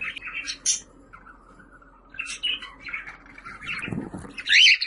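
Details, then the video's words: Budgerigar calls used to attract pet budgies: scattered scratchy chirps and warbles with a faint low hum underneath, ending in a louder bright squawk-like chirp. "Muhabbet Kuşu Sesi, kuş sesleri, muhabbet kuşu çağırma sesi!"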